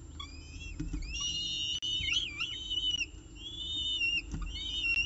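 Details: Peregrine falcons at the CSU Orange nest during the evening meal, 18 October 2018 at 6:51 pm, recorded by nest camera: overlapping high whistled calls, long level and wavering notes with quick bends, several voices at once.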